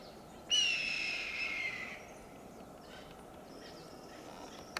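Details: On a high perch in Del Monte Forest, California, a red-tailed hawk that has just eaten a large fox squirrel gives a single loud, rasping scream lasting roughly one and a half seconds and falling in pitch, with steady hiss behind it.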